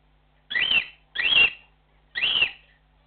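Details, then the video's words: Cockatiel giving its flock call, three strong arching whistles with a slightly harsh edge, evenly spaced about two-thirds of a second apart and each under half a second long, against a quiet indoor background. "Cockatiel flock call"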